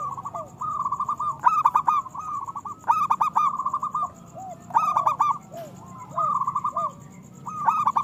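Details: Zebra doves of local stock in full song, used to coax other doves into singing. Chorus of birds repeating rapid staccato coo phrases with rolling trills every second or two, overlapping, with soft curved coos between.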